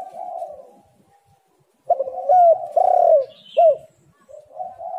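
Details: Spotted dove calls serving as a lure to make lazy birds call: soft coos, a pause, then a burst of loud, rounded, down-slurred coo notes before gentle cooing resumes.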